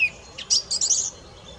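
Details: Song thrush giving a short high phrase: a thin whistle, then a tight cluster of shrill, scratchy notes lasting under a second, with a quiet hiss behind.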